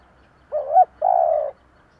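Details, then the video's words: Decoy spotted dove in the 'giọng thổ' voice style, cooing to lure wild doves: a short, wavering first note followed after a brief pause by a longer, steady low coo. "Tiếng cu gáy giọng thổ gáy gọi kích bổi / Cu gáy giọng thổ / Cu mồi giọng thổ gù gáy kích bổi chuẩn"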